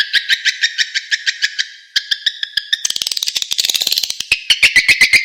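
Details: Edible-nest swiftlet lure call for attracting swiftlets: evenly spaced high chirps that speed into a fast, dense twitter, then slow again into separate clicks and chirps.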